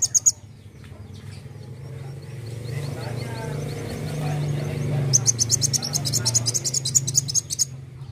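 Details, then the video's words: A sunbird in full song delivers bursts of rapid, very high, thin chipping notes in quick strings over a steady low hum, a recording used as a master or lure sound for songbirds. "KOLIBRI WULUNG GACOR NEMBAK NEMBAK"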